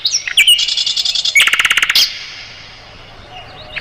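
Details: Mugimaki flycatcher song for tutoring cage songbirds: a buzzy high trill followed by a rapid string of repeated clipped chirps, then near silence.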